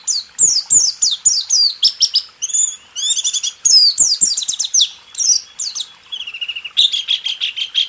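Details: Rool tembak style white-eye song meant to train caged birds: an extended, varied string of high twittering notes, sharp down-slurs mixed with a few flatter buzzy trills lower in pitch near the end.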